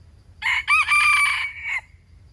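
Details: Loud wild chicken call: a short rasping first note, a quick upward-bending syllable, then a long even harmonic note lasting about a second and ending abruptly. Low background hum.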